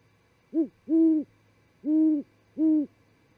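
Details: Night visit by a great horned owl to an osprey nest at Charlo, Montana, 28 December 2017 at 00:45; a clipped first hoot leads into three sustained, deep hoots, each held about a third of a second, with steady low hum.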